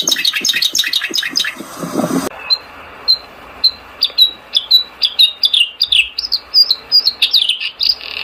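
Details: Bluethroat song opening with a dense jumble of fast notes, then breaking abruptly into separate short, sharp whistled notes, several sliding downward, given about twice per second over a steady background hiss.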